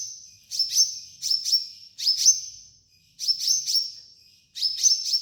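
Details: Sunbird (kolibri ninja) master song used to train captive birds: paired sharp chips followed by a level, high, thin whistle, repeated roughly every 1.3 seconds on a clean background.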